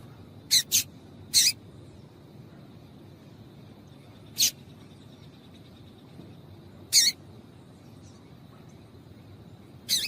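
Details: Yellow-bellied seedeater female calling to excite males: quick pair of chips, then single harsh notes at irregular gaps of about three seconds, over a faint hum.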